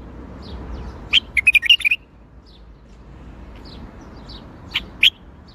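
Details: Bulbul singing tor Baghdadi, the Baghdadi style: a rapid sequence of about seven liquid, warbling whistled notes lasting under a second, then quiet, with two further short chirps near the end.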